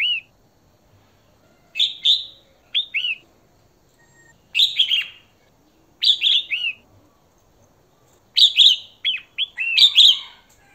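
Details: A female red-whiskered bulbul calls to stimulate or attract a male with short, bubbly, chirping phrases of a few quick rising and falling notes, spaced one to two seconds apart, against a quiet background.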